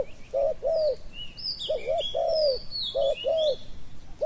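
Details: Decoy spotted dove in Thailand cooing to draw in wild doves. Soft, low coo phrases are repeated in pairs about every second, with many bright, high twittering calls from other birds layered over them.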